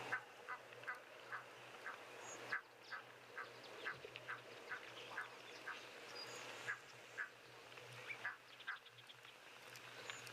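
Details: Egyptian geese in the wild raising an alarm because a jackal is right beside them, a gosling being a prized meal for it: repeated short honking calls roughly every half second over steady noise and a low engine-like hum.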